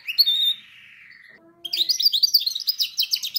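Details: Canary song for training canaries: a long smooth tone sliding gradually downward, a soft low note, then a fast rhythmic trill of evenly spaced bright pulses continuing to the end.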